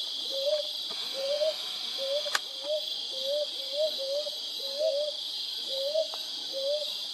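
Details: Brown hawk owl, locally called kuuk, giving soft rising two-note hoots around five hundred, repeated about every 0.7 seconds in a steady series, with faint clicks, a sharp tap and a constant high hiss behind.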